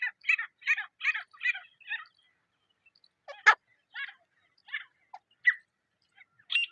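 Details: Wild partridge (teetar) in jungle at dawn or dusk: a quick series of five harsh, grating notes, then silence and scattered single rasping calls with one loud sharp burst.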